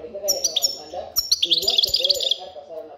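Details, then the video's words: European goldfinch singing: rapid, bright, high twittering notes in quick tinkling bursts, with a man speaking Spanish steadily underneath. "Jilguero demostrando culidades"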